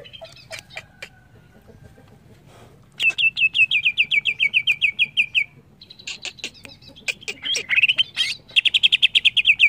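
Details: Varied song of a greater green leafbird: scattered clicks and ticks, then a long fast rattle of bright repeated notes, more chattering, and a final rapid trill.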